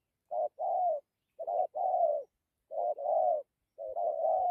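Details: Spotted dove with a good coo, dặm kèm gù style: four phrases of a short hoot joined to a longer mellow coo, the last phrase run together, with a faint click at the end.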